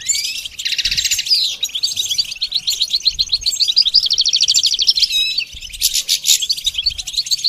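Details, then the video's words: Goldfinch song for song training: a buzzy opening, then a fast even trill of repeated notes for a couple of seconds, another harsh buzz, and closing twitters. "The basics of training the goldfinch to sing"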